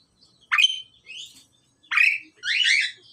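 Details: Male and female pied mynas in the pairing process give a sharp rising squawk, a softer buzzy note, then another harsh call followed by a long grating chatter.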